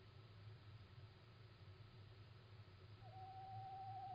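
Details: Little owl calling at night, 17 March 2016 at 01:56: one faint, drawn-out, steady whistled note begins about three seconds in and holds to the end, over a constant low rumbling hum.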